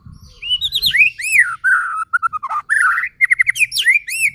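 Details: White-rumped shama, a gacor (constantly singing) bird used as a provoking lure to make other shamas sing and get agitated; rich whistled song of varied rising and falling notes, rapid trills and high bright phrases.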